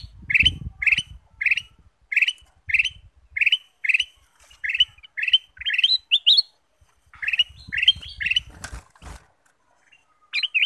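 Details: Golden bulbul (kutilang emas), a recording used as a lure to get other birds singing: short, bright, slurred phrases repeated about every half second, each rising at its end, with a brief low thump early on and a sharp click near the close.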